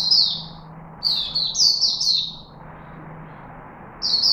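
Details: Caged chickadee in Singapore, recorded 4 March 2021: high, clear whistled notes that slur downward, given as a single note, then a quick run of four, then another note, with pauses between, over a faint low hum.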